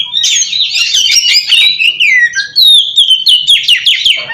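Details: Lure song of an oriental magpie-robin, played to attract wild birds: dense, high warbling with rapid downward slurs, then a clear level whistled note and a series of quick chipping trills.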